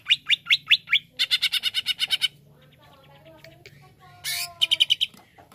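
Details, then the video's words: Greater green leafbird (cucak ijo): rapid bursts of sharp, high chattering notes, first five spaced, then a fast dense run, a quiet stretch with faint warbles, then a harsh rasp and another quick series, over a low steady hum. "Bikin Emosi Cucak ijo Anda"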